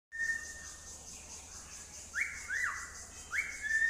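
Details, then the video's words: Pet cockatiel whistling: a steady held note, then three short bright whistles that each jump upward and slide back down, set against a faint high hiss and a low hum. "Best whistle.. Signing By Cocktail Bird"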